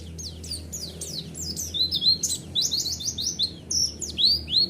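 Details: High, rapid twittering song of a white-eye, used as a lure to get a reply. Thin down-slurred chirps run almost without a break, with a steady low hum behind.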